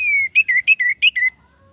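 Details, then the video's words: Orange-headed thrush song opening with a long, slowly falling whistle, followed by six quick, bright warbled notes in rapid succession before fading out. "pancingan Anis merah macet bunyi"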